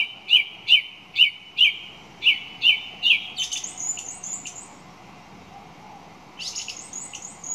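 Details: Song thrush repeats a loud, sharp whistled note seven times, about every half second, then switches to a higher, thin, twittering phrase, which returns briefly after a pause.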